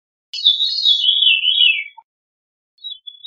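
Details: Veery singing a single flute-like phrase that spirals steadily downward from high to lower pitch over about one and a half seconds, followed by a brief soft note and a faint high fragment at the end.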